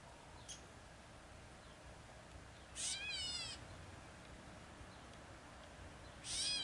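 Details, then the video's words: Gray Catbird on the Red Deer River bank at Participark, Drumheller, Alberta, gives two harsh, cat-like mewing calls about three seconds apart, each slurring downward, over a soft steady background hiss. "CAT BIRD"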